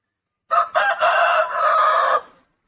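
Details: Rooster's hoarse crow: quick stuttering start of two clipped syllables, then a long loud drawn note lasting over a second, ending abruptly against a silent background.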